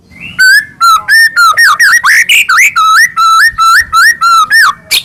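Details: White-rumped shama singing as a morning lure for pet birds: a continuous, fluty string of clear whistled notes, some level and some wavering or slurred, delivered briskly with hardly a pause.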